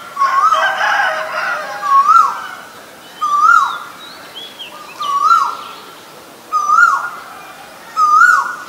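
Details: Male Asian koel calling a steady series of six rising, upslurred notes roughly every 1.1 seconds, clear and loud, with thin high chirps from other birds between them and a brief burst of mixed bird noise at the start.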